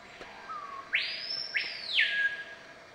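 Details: A Screaming Piha at the Essequibo River, Iwokrama, Guyana gives a soft low whistle, then an explosive ringing whistle that shoots up, holds high and slides back down. Nothing else is heard.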